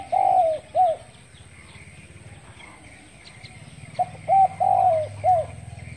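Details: A spotted dove calls in the morning. The end of one cooing phrase opens the recording. After about three quiet seconds comes a full phrase of short coos around one long falling coo, over a low rumble.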